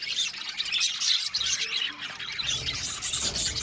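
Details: Aviary budgerigars, loud squawky chirps and warbled chatter packed tightly together from several birds.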